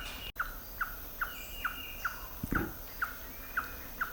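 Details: Slaty-tailed trogon calling in the pristine Gamboa rainforest of Panama, March; short, clipped notes repeated about twice each second in an even run of nine, with a brief thump partway and soft forest background.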